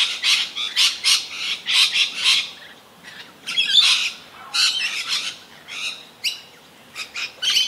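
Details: Ceaseless harsh screeching from Rainbow Lorikeets feeding frantically in Australia: dense, rapid rasping calls in rhythmic bursts, pausing briefly before more screeches and a few sharper squeals.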